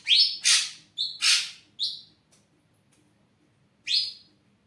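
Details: Ashy drongo singing, a kept bird: rising whistles and harsh rasping bursts in quick alternation, then a pause and a single clear upslurred whistle.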